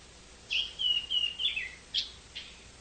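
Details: Chinese hwamei song against noticeable background hiss: a few drawn-out whistled notes sliding down, followed by two short separate notes.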